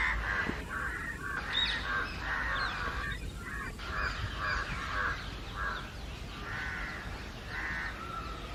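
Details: House crows and jungle crows keep cawing loudly together against someone, calling nonstop for over an hour. Drawn-out, raspy caws come in uneven bursts over a steady low background hum.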